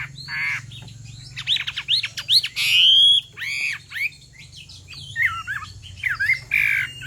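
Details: Chinese hwamei, female urging a male to sing, mixes harsh squawks and rasping bursts with a long loud whistle and twisting slurred notes, over a steady low hum.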